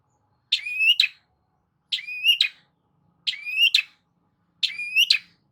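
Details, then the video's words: Lure recording of a long-tailed shrike for a bird that has stopped singing. Four spaced phrases, each a harsh note sliding up into a whistle and ending in a rasping click, repeat every one and a half seconds. "CENDET MACET COBA PANCING DENGAR KICAU"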